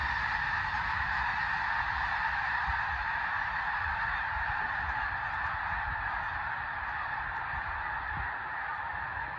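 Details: A huge flock of snow geese near Saskatoon, Saskatchewan, disturbed and taking alarm, producing an insanely loud, continuous wall of overlapping honking from countless birds, dense and unbroken throughout.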